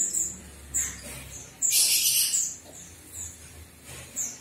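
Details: Javan myna, locally called jalak kebo, giving thin, very high squeaky chirps in quick irregular runs, with one louder, broader burst of harsh, noisy sound near the middle and faint low background hum.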